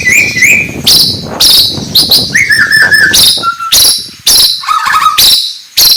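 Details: Morning song of a white-rumped shama, sung to rouse rival birds: short whistled phrases alternate with harsh, loud broadband chirps and bursts, some notes dropping lower toward the end.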